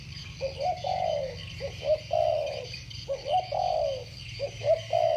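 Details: Pair of spotted doves singing against each other in the 'thổ bầu' voice: quick stuttered opening notes then a long, slightly rough downward coo, three phrases heard, soft hiss in the background.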